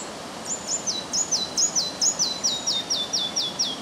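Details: Morning song of a Red-breasted flycatcher near Översjön on Järvafältet, Sweden, 30 May 2011, in strong wind: a rapid run of high, sliding, falling whistles, about ten notes in under four seconds.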